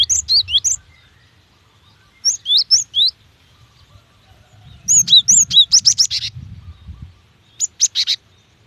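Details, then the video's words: High, rapid chirping from a female cinereous tit calling for a male, meant to coax birds into singing: clusters of sharp, down-slurred notes repeated in fast runs, the longest burst about a dozen notes, against quiet background. "GELATIK BETINA UNTUK MEMANCING BUNYI"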